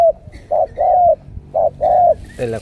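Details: Spotted Dove kept as a trained decoy, Cà Mau bird with the đồng siêu gù cooing style: two rounded phrases, each a brief low note then a drawn-out slightly falling coo, with speech starting at the end.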